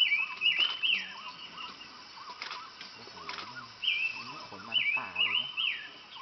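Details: Flavescent bulbul giving bright whistled call notes in short bursts, early and again in a longer run near the end, over a busy background of other faint chirps and whistles.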